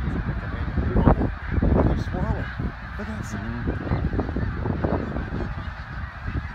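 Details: Snow geese in Middle Creek, Pennsylvania, one February morning in 2024. Loud nearby honks, short and nasal, come in bursts over a continuous flock roar, with heavy low-frequency rumble.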